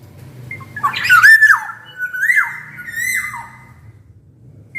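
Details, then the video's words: Black-naped oriole in full song, used to prompt quiet orioles to sing: a loud fluty whistled phrase rising and falling, then a second long sliding whistle, with a faint low hum in the background. "Suara kepodang gacor ini bisa di jadikan pancingan kepodang malas bunyi"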